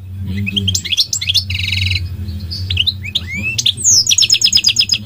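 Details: Goldfinch in full song: rising chirps, a nasal buzzy trill, a rising slurred whistle, then a rapid run of bright repeated notes at the end, over a low hum.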